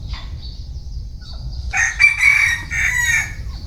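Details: Single bantam rooster crow, a hoarse, broken cock-a-doodle lasting about one and a half seconds, preceded by quiet background with a persistent thin high buzz and low rumble.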